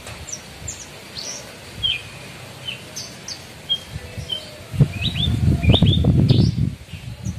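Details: Javan bush lark (branjangan) kept in a cage, pouring out its isian repertoire: varied sharp upslurred whistles and downslurred chirps, scattered then bunched, with a heavy low rumble arriving in the second half.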